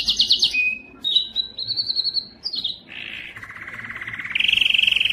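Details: Canary song for stirring males to sing: quick varied phrases with chirps and short whistles, a soft rough burst, then trills that rise and end in a loud, fast, buzzy roll.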